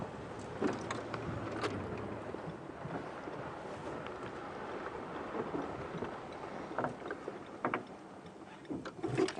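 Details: Wind buffeting the microphone with rain and distant rumbling thunder, plus scattered knocks.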